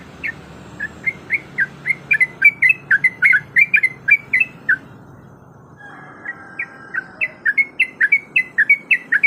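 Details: Female sooty-headed bulbul in breeding condition calling to a male: quick run of short, bright chirping notes, then a pause with faint low hum, then another fast string of chirps.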